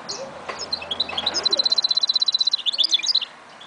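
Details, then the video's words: Goldfinch mule singing, recorded in 2011: scattered high twittering notes lead into a rapid, even, high trill lasting about a second, followed by more jumbled chirps. "Mule Goldfinch"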